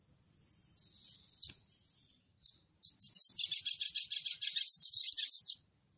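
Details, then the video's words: Sogon calling to a rival: a thin sustained high trill, two sharp clicks, then a fast buzzy chattering rattle of rapid repeated high notes lasting almost three seconds. "SOGON GACOR NGLEPER MEMANGGIL LAWAN"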